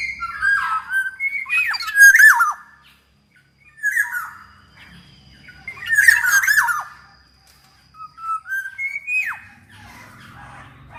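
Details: Black-naped oriole in full song, played to coax lazy orioles into singing: bursts of rich whistles and harsh nasal squawks in groups separated by short pauses.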